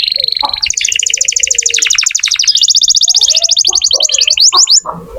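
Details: Canary song played to prompt young or silent canaries to sing: rapid trilled rolls of repeated high notes, shifting from buzzy chattering to fast descending sweeps, with faint clicks and low noises underneath.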